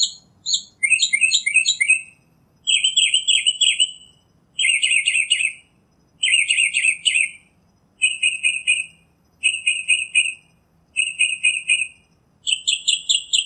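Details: Northern mockingbird switching among several phrase types, each a rapid burst of chirps or buzzy notes lasting about a second, roughly eight bursts with brief gaps, some types repeated before changing.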